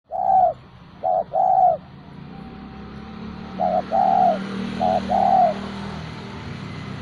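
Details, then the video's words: Spotted dove kept as a hobby bird, singing actively: soft, low, hollow coos in two phrases, each a short note followed by a longer rolling coo, with a steady low rumble underneath. "tekukur gacorr"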